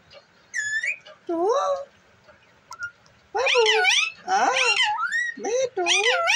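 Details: Talking parrot producing loud, wavering harmonic vocal phrases with sliding pitch, short bursts separated by brief pauses, some rising whistle-like notes, indoors.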